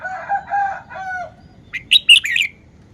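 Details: Red-whiskered bulbul showing its song phrasing: after a lower drawn-out nasal, harmonic-rich call, a quick bright phrase of four whistled, slurred notes follows.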